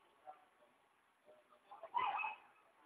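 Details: Harsh, grating squawk of a hyacinth macaw (arara azul) at a country property in Ilha Solteira on the Paraná River, Brazil, preceded by a few soft low mutters, then one loud rough burst lasting about a third of a second.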